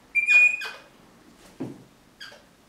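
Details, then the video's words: Crimson rosella guarding a sock: a loud, sharp whistled squawk with ringing overtones, then a softer call, a dull bump and one last short squeak in a quiet room. "Crimson Rosella protecting sock"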